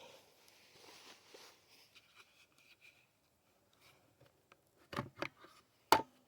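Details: Quiet indoor room with faint scratching and rustling, then a few sharp knocks and clicks near the end; no animal heard.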